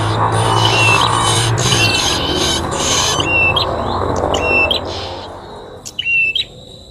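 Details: Prinia by its nest; after loud broadband noise fades, a series of short, clicky high whistled notes repeats in quick succession.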